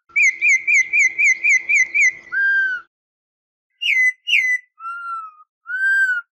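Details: Campo troupial, called corrupião in Brazil, in its fast song: a rapid rhythmic run of eight bright notes, a low drawn-out whistle, then after a gap two sharp descending whistles and smooth arched tones.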